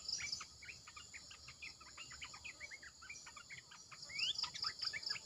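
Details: Red-eyed bulbul decoy calling meant to attract wild birds: a dense run of quick, clipped chirps and warbled notes, about two a second, over a constant high insect hum.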